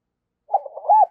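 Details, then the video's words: Single spotted dove decoy phrase for luring wild doves: soft, wavering low coos that run into a louder, arched coo at the end. Quiet, clean background. "Tiếng Chim Cu Gáy Mồi Kích Bổi"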